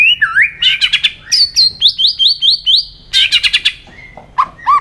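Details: White-rumped shama singing competitively with many voices: loud, rich phrases of upslurred whistles and quick chattering notes, several repeated rising notes in a row, then short sharp slurs.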